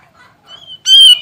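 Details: Grey-cheeked bulbul song from a master recording used to train songbirds: faint soft notes, then one loud, clear, steady whistled note with rich harmonics.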